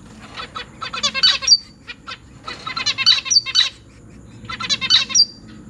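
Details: Zebra finch chicks being fed by their parents in a big cage, three juveniles and three new babies, August 2023; rapid raspy begging bursts in three intense bouts, each a chattering run of buzzy notes rising to shrill squeaks.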